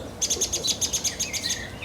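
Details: On an early June morning in Mill Road Cemetery, Cambridge, an agitated song thrush gives a rapid run of about ten sharp, high ticking notes in under two seconds, possibly seeing off a magpie near its nest; a faint lower note slides beneath.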